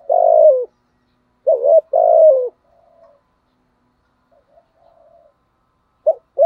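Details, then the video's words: Spotted dove used as a decoy, cooing long falling notes in two phrases, soft distant coos filling the quiet middle, a new phrase starting at the end. "cu mồi giọng gáy bài bản, cu gáy giọng thổ"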